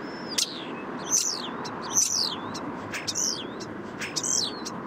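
A common starling sings short bursts about once a second: sharp clicks and high, sliding whistles that drop in pitch, over a soft hum of distant traffic.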